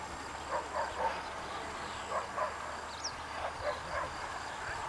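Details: Eurasian coot at a pond near Sevastopol, Crimea, giving short, nasal, bark-like notes in uneven bursts of two or three, over a low steady hum, with one brief high whistle midway.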